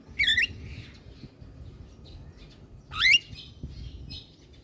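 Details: Javan myna singing vigorously while nodding its head, used to prompt lazy mynas to sing: two loud harsh whistled notes, the first wavering, the second sweeping upward, about three seconds apart, with faint quieter notes between.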